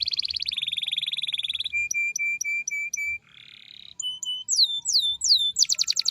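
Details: Canary in strong, sharp full song, a long-rolling master song for teaching other canaries: rapid high trill, steady row of clear repeated notes, a short buzzy passage, then sweeping downslurred whistles and a fast closing trill.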